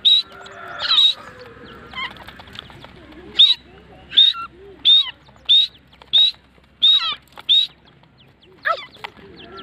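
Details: Grey francolin (teetar) of middle age giving a run of loud, clipped, high ringing notes repeated steadily about every 0.6 seconds over roughly eight seconds, with faint chatter underneath at the start.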